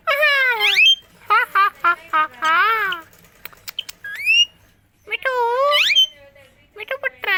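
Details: Green parrot in India mimicking Hindi speech: rapid bursts of nasal, speech-like syllables with wavering pitch, grouped in quick phrases separated by short pauses, plus a couple of rising whistled notes mid-way.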